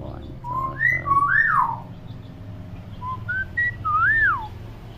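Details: Pet common hill myna, tame and talkative: whistled slurs rising and falling, a pause, then short stepping whistled notes climbing in pitch and a final swooping whistle.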